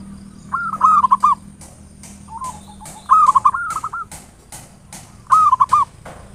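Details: Lure song from a local zebra dove in ngayer nulop style: three bright stuttering coo phrases, the middle one longer with extra notes, spaced about two seconds apart, with faint clicks between.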